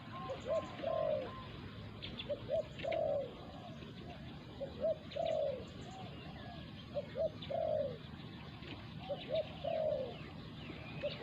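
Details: Spotted doves cooing as a wild resident bird confronts a decoy during dove trapping. Steady series of phrases: quick paired coos followed by a longer, downward-slurred coo, repeating about every 2.3 seconds, with a second fainter caller overlapping.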